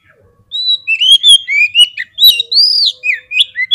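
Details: Kacer (Oriental magpie-robin) in full fighter mood, singing a provoking song meant to rouse other birds. After a half-second pause, loud varied whistles pour out: rising and falling slurs, sharp high squeaks and quick phrases in a steady, energetic stream.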